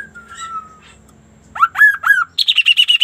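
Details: Sunda laughingthrush in lively, unusual song: a long, level whistle over a low hum, then three upswept whistled notes, then a rapid run of about eight ringing, evenly spaced notes.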